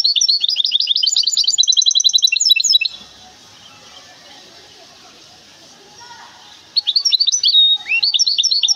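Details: Goldfinch hybrid from Témara, Morocco, delivering a long stretch of rapid, high-pitched twittering and trilled notes. The song breaks off into a few seconds of near silence, then resumes with quick chirping phrases.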